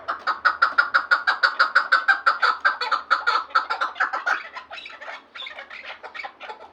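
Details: Chukar partridge from Vanj: a loud, evenly paced burst of harsh chuk notes, close to three per second, which gradually fade and loosen toward the end.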